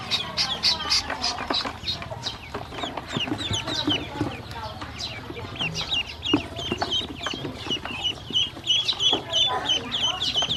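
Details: Domestic ducklings being fed, hungry and calling, with a dense mass of high, chirpy peeps and some lower squeaky notes, mixed with pecking and clattering sounds.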